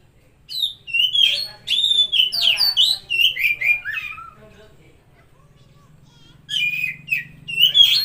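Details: Oriental magpie-robin song used to coax a stressed or silent bird: a long varied sequence of whistled and warbled notes sliding downward, a pause of two seconds, then more bright whistles.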